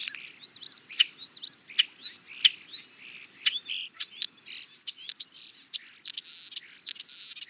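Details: European starling song, a fast jumble of squeaky whistles, sharp clicks and chirps, followed by several clear rising whistled notes, each about half a second long, repeated in a steady run.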